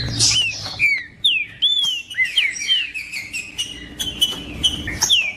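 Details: Green-winged saltator song meant to warm up and prompt other birds to sing: rich whistled notes, each falling in pitch, given in rapid irregular sequence, with clicking noises and a faint background hum.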